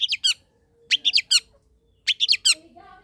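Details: Long-tailed shrike chattering song for prompting quiet shrikes to sing: three tight groups of three or four grating, strongly harmonic notes, spaced roughly a second apart, in quiet surroundings.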